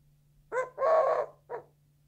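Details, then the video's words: A Eurasian collared dove gives its three-part coo: a short note, a long drawn-out middle note, then a brief closing note, over a faint steady hum. "Eurasian collared dove "coo""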